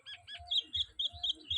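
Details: A talking common hill myna kept with its owner gives a loud series of short, high, sharp chirps, about five notes in under two seconds, with a low pulsing hum beneath.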